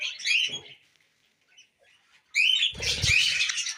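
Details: Tamed pet budgerigars eating millet: a short burst of high warbling chirps, a near-silent pause, then a dense, loud rush of overlapping chatter with low thumping knocks underneath.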